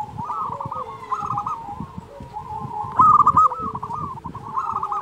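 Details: Singing local zebra dove, offered as a master recording to train quiet or stressed doves and to lure others. Continuous bubbling coos rise to a loud stuttered burst midway, with more softer cooing behind it.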